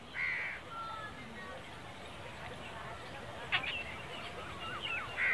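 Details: A black francolin (Francolinus francolinus) calls with harsh, grating bursts of clipped notes at a fairly high pitch, spaced irregularly over a steady background hiss.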